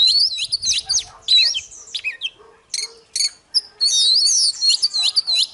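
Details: Oriental magpie-robin singing a fighting song at dawn, loud wavering whistled phrases of looping notes, a gap of short chips midway, then a long rich warbled run to the end; soft low hum behind.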